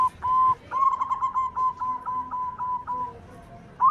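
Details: Local zebra dove (perkutut) song used as a lure: a long run of quick, even, whistled notes at one pitch, trailing off, with a faint lower phrase and a rising note at the end.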